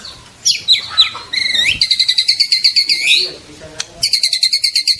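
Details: Lively juvenile (trotol) white-rumped shama song meant to set silent birds singing; jumbled whistles and slurred notes give way to a long, steady series of rapid, high, repeated chips, a short pause, then the fast chipping resumes.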